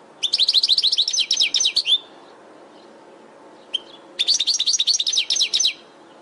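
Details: European goldfinch singing in a training recording made for caged birds: two long runs of quick, high, tinkling twittered notes repeated in a fast even rhythm, a brief single chirp between them, background otherwise quiet.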